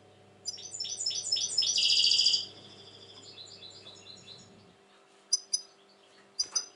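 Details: European goldfinch, said to be very agitated these days, 2020: a loud fast burst of liquid twittering that swells then fades into softer chatter, followed by a few isolated sharp chips over a low steady hum.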